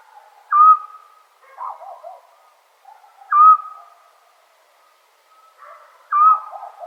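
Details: A Eurasian scops owl (Otus scops) on a summer night in Serbia gives a single short, clear whistled 'tyu' about every three seconds, with softer, lower burbling calls between the notes.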